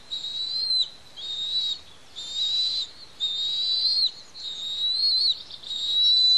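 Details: Begging from two Bald Eagle eaglets being fed on their Pelican Harbor nest, Santa Cruz Island, part of a restoration project; shrill whistled cries repeated nearly continuously, slightly wavering in pitch, with little background noise.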